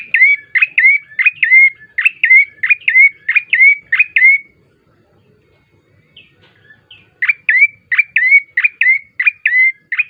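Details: Bar-winged prinia song, played as a lure to prompt other birds to sing: two bursts of fast, repeated phrases, each a brisk falling note running into a bright sustained whistle, separated by a silent pause of about three seconds.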